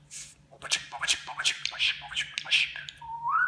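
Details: Domestic talking budgerigar imitating speech; a fast, evenly spaced string of raspy syllables, roughly one every third of a second, ending in a rising whistled note.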